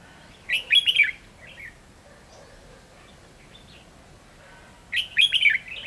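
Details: Decoy red-whiskered bulbul used for trapping, recorded 7/11/2016, sings two short, bright warbled phrases about four seconds apart, with quiet background between them.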